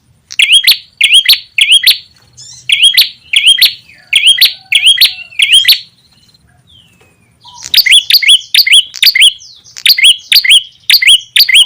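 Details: Lure call of the ashy tailorbird, played to bring birds in: long sequences of loud, sharp, rising chirps repeated about twice a second, a brief quieter gap midway, then a denser, faster run of chirps.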